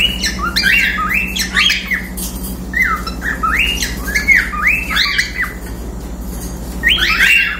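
Cockatiels give bright, rising chirps and squawky whistles, repeated in quick bursts.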